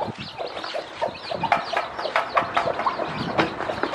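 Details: Hen that hatched many chicks from eggs, teaching the baby chicks to eat: soft low clucks mixed with a steady stream of thin, arching chick peeps and light tapping sounds.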